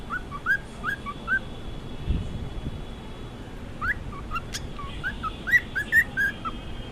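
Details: Morning whistling from a pet cockatiel: quick runs of short, bending whistled notes, some rising sharply, in two groups separated by a quieter gap, with faint clicks and a low room hum behind.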